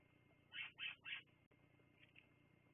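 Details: Bald eagles on a live nest camera at Fraser Point, recorded 10/02/2022 at 16:59: three quick, high, chattering notes in a row, followed by fainter scattered notes against a low steady background hum.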